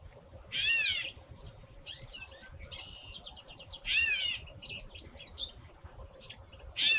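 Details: A Gray Catbird, a North American species named for its cat-like call, gives two drawn-out, nasal, kitten-like mews about three seconds apart, with quick squeaky chips and jumbled notes filling the gaps between them.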